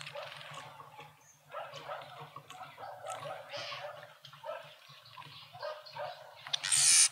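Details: Speckled mousebirds feasting at a feeder in a suburban garden in Pretoria, South Africa, give rapid, harsh twittering chatter in overlapping bursts, with a low steady hum underneath and a loud rasping burst at the end.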